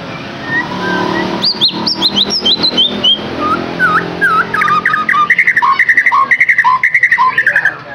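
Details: White-rumped shama song from Indonesia, played to stimulate a captive bird to sing: after a soft start, a fast run of high, sharply slurred whistles gives way to rhythmic, repeated lower whistled notes in quick, varied phrases, with faint low background hum.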